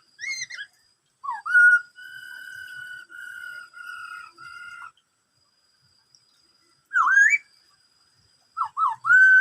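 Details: Black-throated laughingthrush in "bắt cô trói cột" song: brief bright notes, then a long series of level whistles in four segments, several seconds of quiet, and sharp rising swoops at the close.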